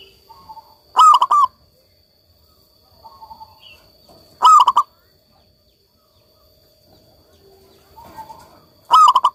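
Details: Local zebra dove singing steadily: three loud bursts of rapid, rounded cooing notes spaced about three to four seconds apart, with softer, more distant cooing phrases heard between them.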